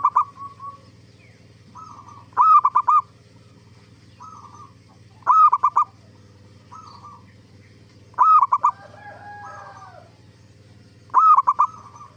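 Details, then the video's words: Zebra dove song used as a lure to make other zebra doves answer: loud, stuttering cooing phrases of four or five quick notes roughly every three seconds, with softer, more distant cooing trills between them over a steady low hum. "Suara Burung Perkutut gacor AMPUH pancingan JUARA BURUNG PERKUTUT BIAR NYAUT BUNYI"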